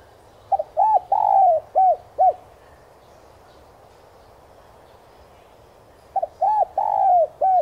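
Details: ['Spotted dove coo lure played to stimulate decoy doves. Two low, mellow phrases about four seconds apart, each opening with a quick flick and including one long sliding coo among short arched ones.']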